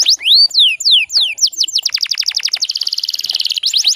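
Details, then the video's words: Female canary used as a lure to trigger male song; a few loud drawn-out downslurred whistles followed by a fast, even rattle of short repeated notes, ending in more sweeping whistles. "PANCINGAN KENARI BAHAN PALING AMPUH BIKIN GACORR"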